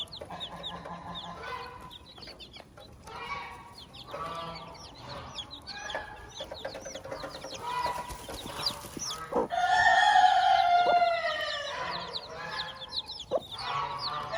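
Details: Hen with her chicks on a farm: a string of short repeated clucks, a louder harmonic squawk midway, and constant thin high cheeping from the chicks scattered across the whole stretch.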